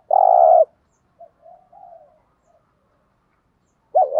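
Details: Spotted dove in the 'thúc gù' style, used to prompt decoy birds to coo: one long, even, hollow coo, then faint soft murmuring notes, and the start of another wavering note at the end.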